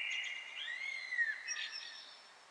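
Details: A Eurasian Blackbird sings in an apartment courtyard in Paris, a mellow, fluting phrase of low whistled glides that rise and fall, with a soft twittering end, ringing with echo off the surrounding walls.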